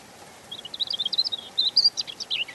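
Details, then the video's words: European robin song: a rapid, rippling phrase of many high, liquid notes that rise and fall, growing louder and brighter in the middle before trailing off in descending twitters, over a quiet hiss. "Ласковое пение Зарянки(малиновки)"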